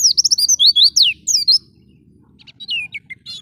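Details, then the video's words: Oriental white-eye, ngalas style, recorded to tutor pet birds: a brisk flurry of high swooping notes for a second and a half, a short gap, then a few descending chirps over a faint rumble. "Pancingan Suara Burung PLECI GACOR - PATEN MENGUNDANG EMOSI BUNYI 100% NGALAS NGOTOT"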